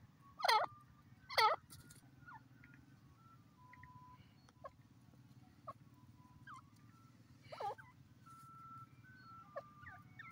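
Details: Grey francolin, known locally as irani teetar, calling: two loud, sharply rising harsh notes close together near the start, then a few fainter similar notes later, over a steady low hum and scattered chirps of other birds.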